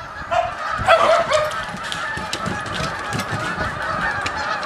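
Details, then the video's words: Geese returning at the end of winter, as the water breaks up, honk in a loose, overlapping chorus of nasal calls, loudest at first, over a steady background hiss; dogs are also making noise. "GEESE AND DOGS ALL MAKING NOISE"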